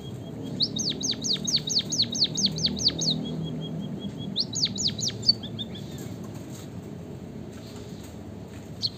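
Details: Singing white-headed munia, called emprit kaji or bondol haji: a long run of rapid, high down-slurred notes, a pause of thin piping, a shorter second burst, then near silence with one last high note.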